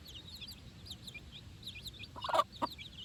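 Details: Four-day-old chicks out on fresh grass for the first time with their mother: a stream of thin, high peeping chirps throughout, broken by a louder, lower cluck-like burst past the two-second mark.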